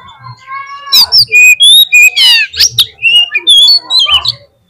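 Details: Energetic Oriental magpie-robin song used as a lure to make a bird sing: loud varied whistles, buzzy rasping notes and sharp chips in quick succession, with faint low thumps underneath.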